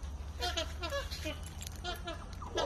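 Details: Magpie geese feeding in a flock, giving overlapping nasal honks in quick succession, several birds calling at once with short harmonic notes, over a steady low rumble.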